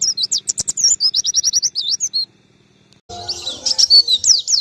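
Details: Oriental white-eye song used as a training master, a rapid run of high sliding chirps, a brief silence, then a denser, slightly rougher burst of twittering whistles.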